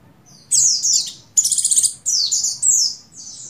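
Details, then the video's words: Breeding female Oriental white-eye (buxtoni) calling the male: a near-continuous string of high falling chirps, broken by a stuttering buzzy trill of about six pulses, then more downslurred notes. "Begini Call Burung Pleci Betina Birahi Memanggil Jantan"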